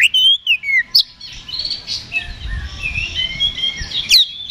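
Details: Fighting song of an Oriental magpie-robin in ngeplong style, meant to stir other birds to answer: loud downslurred whistles open, then a run of varied warbles and short whistled notes, closing with sharp upswept calls.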